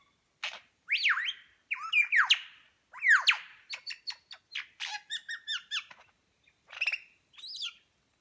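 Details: Lyrebird at New England National Park, NSW, Australia, imitating other bird calls while fanning its tail; looping whistled swoops, then a series of rapid clicky, rattling chatter notes and a few final whistles.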